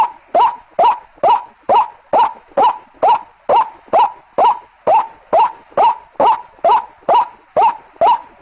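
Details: Ruak-ruak calling of a White-breasted waterhen for luring birds: sharp croaks that rise briefly, repeated at a regular fast tempo for over eight seconds, with a quiet background.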